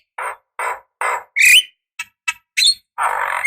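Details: Javan myna female calling to a male, played as a lure: a few spaced harsh, nasal squawks mixed with short clicks and a sharp rising whistle, ending in a longer rasping note.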